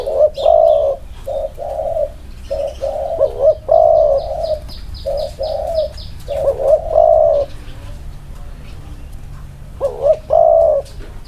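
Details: Inner-circle cooing from two spotted doves placed together. Low, breathy coos come in grouped phrases with quick upward flicks, followed by a pause and then a final pair. A series of thin high chirps from another bird sounds early on.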